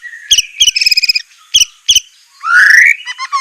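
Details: Captive-bird training recording of white-rumped shama song: sharp clipped double notes, a short buzzy rattle, and a rising whistled slur near the end.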